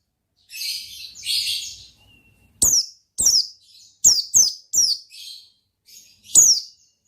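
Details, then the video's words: Oriental white-eye giving gacor ngalas song: two rough, buzzy hissing notes open, followed by a series of crisp, high chirps sliding downward, some doubled, spaced about half a second apart. "Suara Bikin Pleci Gacor Ngalas Dengan Burung Pleci Gacor NGALAS INI"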